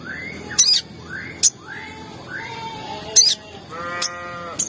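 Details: Sogon calls played as a lure to provoke other sogon into calling: short rising whistled notes repeated about every second, then a nasal harmonic-rich call, punctuated by sharp high clicks.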